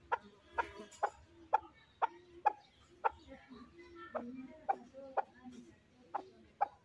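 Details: Pet fighting partridge, a chukar, repeating short, clipped chuck calls at a steady pace with low background noise.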